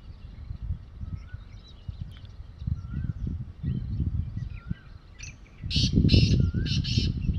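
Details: Wild black francolin calling in the evening from atop a mud mound: harsh, broadband, raspy bursts come in a rapid cluster near the end, following softer chirps of other birds over a steady low rumble of background noise.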